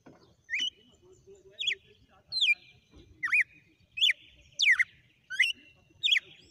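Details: Whip-phrase song ('sequência de açoites') of a wild red-cowled cardinal: eight ringing whistled phrases, each a quick rising-then-falling slur, repeated at an uneven pace of more than one per second.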